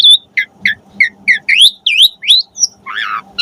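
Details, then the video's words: Asian pied starling in full varied song, used as a master recording for pet starlings: a quick series of short whistled notes, some rising and some looping, about three each second, ending in a harsh scratchy note. "Suara Jalak Suren Gacor Full Variasi"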